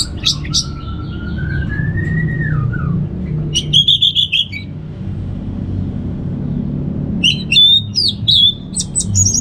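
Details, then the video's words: Orange-headed thrush singing in the ngeplong style, North Bali: a long, clear whistle that slides upward then drops, followed by bursts of quick, high, twittering phrases, with a steady low rumble underneath. "$uara ANIS MERAH Ngeplong"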